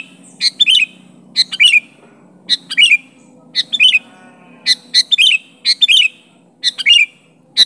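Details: Sooty-headed bulbul, a lively caller challenging and pressing a rival; loud, bright paired chirps with a short note followed by a slurred burst, repeated about every second, clean with no other birds.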